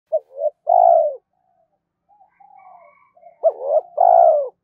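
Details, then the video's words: Spotted dove cooing to stimulate other doves: a brief clipped note, a longer level coo, then after a faint murmur of softer cooing a sharp rising note and another drawn-out falling coo. "tiếng cu gáy kích bổi mỗi ngày"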